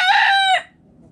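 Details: Rooster in a backyard flock of dust-bathing chickens, ending a crow: a loud, harsh, harmonic note held about half a second, then a sharp fall and quiet low background.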